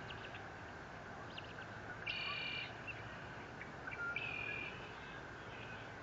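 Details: Eagle at a nest cam at Fort Saint Vrain, recorded 30 April 2021: two short bursts of thin, high chirping notes with faint overtones, around two and four seconds in, over a steady background hum and hiss.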